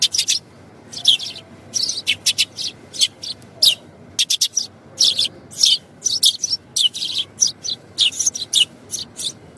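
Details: Sparrow chirping steadily: bright, clipped, high-pitched notes repeated in quick clusters of two to four across about ten seconds, with short pauses and only a soft hiss behind.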